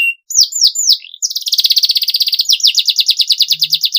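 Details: Canary singing a long, clean masteran song: three looping whistled notes, then a long, very fast pulsed trill that shifts pitch partway through.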